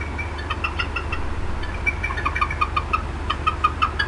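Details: Female bald eagle at the Decorah North nest, upset and clucking for a long time on 18 April 2016. Rapid, slightly uneven chattering notes, growing louder and more regular toward the end, over a steady low hum.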